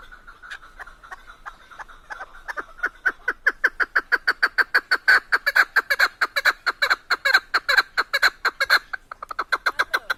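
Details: Keklik, or Chukar partridge, singing in Tajikistan: a loud, fast series of clipped chuck notes that starts soft, swells into an even rapid rhythm of about two notes per second, then breaks off near the end.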